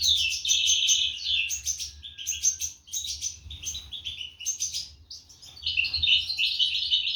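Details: Goldfinch nestlings calling while parents deliver food, 2023; high squeaky chirps in clustered bursts separated by brief gaps, a sustained twittering run at the end.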